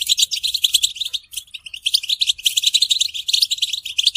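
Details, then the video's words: Goldfinch mating and readiness calls used to make males sing: rapid bright chirping in tight clusters, a short pause at the first second, then continuous twittering. "بتبتة حسون الشوك تحفيز الحسون على التغريد والهيجان علاج صمت الحسون goldfinch stimulation"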